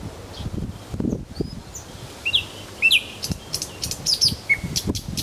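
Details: Nightingale phrases in Kuzminki forest park: sparse thin whistles and a few sharp, rising chirps spaced irregularly, over light background rustle.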